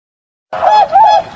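A swan gives two nasal, trumpeting honks, each held briefly with a slight rise and fall, and a third begins at the end.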